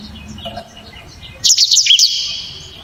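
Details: Short blacktrod song phrase: a brief, bright burst of high, sharp chirps and a trailing whistle lasting under a second, after quiet background murmur.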